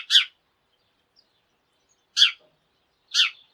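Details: Morning sparrows in a calling flock: three isolated, loud chirps, the first two separated by a two-second pause.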